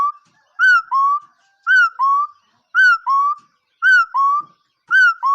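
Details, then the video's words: A bird whistles a paired call: a bright, slightly falling first note, then a longer lower note, repeated steadily about once a second in five even phrases against silence. "เสียงนกขอ.,suab noog yij liab quaj zoo heev"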